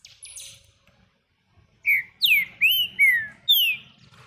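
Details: A green-winged saltator sings from a hand, giving five loud, clear whistled notes, each slurring downward, spaced about every half second after a few faint high notes and a quiet pause.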